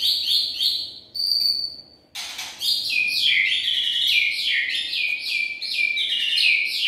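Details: White-rumped shama lure song (murai batu pikat), 2021: a high whistle, brief pause and sharp burst, then fast chattering run of varied short notes, about three to four per second, pitched high and bright.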